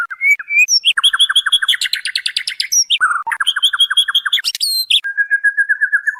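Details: A female white-rumped shama calls to attract the male: fast, evenly repeated whistled notes in rhythmic series, broken by sharp high chips, ending in a long level whistle.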